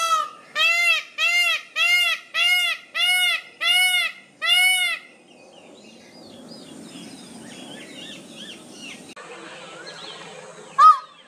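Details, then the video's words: An Indian peafowl (peacock) gives a rapid series of eight loud, nasal, wailing calls about twice a second, then one more after a pause, while small birds chirp faintly in between. "Peacock nice video calls & Peacock lovely sounds"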